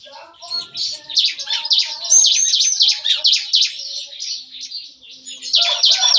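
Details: Morning chatter from caged bar-winged prinias (ciblek kristal) in a breeding aviary, sung in the 'nembak-nembak' shooting style: rapid, rhythmic, high scratchy notes rising in loudness, with faint lower calls beneath.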